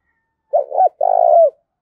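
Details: A single loud phrase from a spotted dove decoy challenging rivals: a quick doubled stutter followed by a sustained, quavering coo that dips at its close, clean with no background noise.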